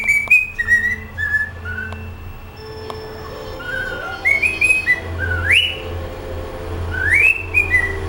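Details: Indoor cockatiel practising a favourite song, giving descending whistled note sequences, a quieter middle stretch with a faint hum, then two strong upswept whistles that slide down in steps.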